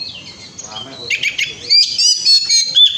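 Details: Oriental magpie-robin song used as a lure to get other birds singing: soft high whistles give way to a loud, fast, buzzy series of warbled and chattered phrases.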